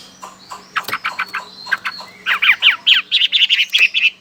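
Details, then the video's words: Chinese hwamei from China, kept in Sokaraja, Banyumas, Central Java, Indonesia, a loud and lively bird: a rapid run of bright, varied notes speeding into a dense chattering phrase of rising and falling whistles, about two notes a second. "Suara burung whamei"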